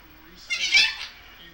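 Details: A Goffin's cockatoo kept as a pet, being urged to dance during play, gives a brief nasal, harmonic squawk that swells and fades within about half a second; a person's voice comes just before and after.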